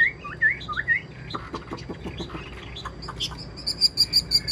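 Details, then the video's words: Caged Chinese hwamei kept as a songbird, described as singing well and in full form: slurred whistled notes near the start, a run of dry clicks, then rapid high piping notes repeated toward the end, with faint voices in the background. "hót tốt bài bản"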